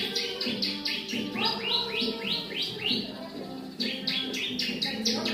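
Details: Bar-winged prinia, crystal and brown varieties, kept as a songbird, delivering quick runs of sharp falling chirps, several bursts with brief gaps, against a constant low humming background.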